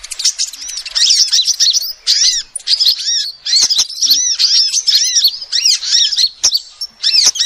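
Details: Female sunbird calls used as a lure: dense, rapid high twittering of arched, down-curving chirps in fast bursts separated by short pauses, with a few sharp clicks.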